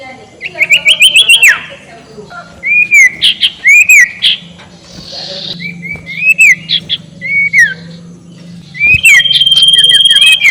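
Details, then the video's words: Ashy tailorbird ngekek call played as a lure to rile rival birds: short bursts of upslurred, hooked whistles repeated in quick groups, separated by brief quiet gaps, ending in a rapid ringing trill. "SUARA NGEKEK SIRTU BIKIN LAWAN EMOSI || PANCINGAN SUARA BURUNG SIRTU"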